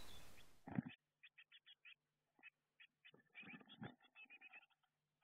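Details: Blue tit nestlings in a garden nestbox camera recording shortly before fledging; a rushing noise and thump at the start, then scattered short high chirps becoming denser, mixed with low knocking from movement.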